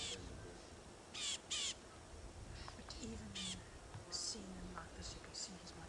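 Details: Rattling Cisticolas in the bush at sunrise on 14 August 2016 giving harsh, rasping chatter alarm bursts every second or so, apparently at a bird of prey they are mobbing, with a man's low voice talking throughout.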